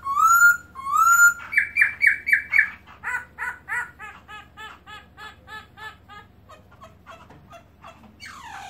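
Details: Black-throated laughingthrush fanning its tail while singing, recorded in 2017: two loud rising whistles, then a fast run of repeated looping, slurred notes that slowly fade over several seconds, ending with a harsh burst.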